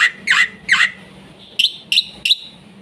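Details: Black-winged myna, lively song for coaxing young birds: three harsh, squawky mid-pitched bursts followed by three short, rising, whistled high notes.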